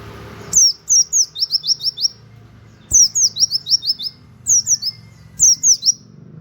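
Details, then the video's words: Cage-training model song of an Indonesian white-eye, 'nembak' style with canary-like 'wit wit' notes: four quick phrases of piercing high whistles, each note slurring downward, the first phrase longest with about nine notes, over a soft low hum. "pleci nembak wit wit kenari cocok buat masteran"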